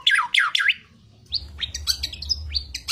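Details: Long-tailed shrike singing in its lively competition style with mimicked fill-ins: three loud, harsh, grating notes, then a jumble of quick upslurred whistles and chips over a low steady hum.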